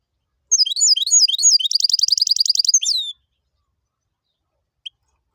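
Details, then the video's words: A goldfinch-canary hybrid, in the "tibetano" and "tuitero" style, delivers one bright burst of looping twittered notes, then a long buzzy rapid trill, a closing downslurred note and a lone chirp after silence. "Jilguero híbrido tibetano y tuitero y canario"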